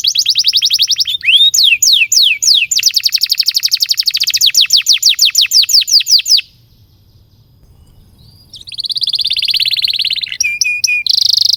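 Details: Canary singing a long run to coax young or stalled canaries into song: about six seconds of rapid upslurred notes in a rolling series, a short silence, then a buzzy, dense trill.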